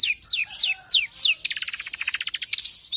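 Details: Long-tailed shrike, a tame bird with varied fill notes, used to spur and tutor other songbirds: five sharp downslurred whistles about every third of a second, then a quick run of bright clipped notes speeding into a rattling series.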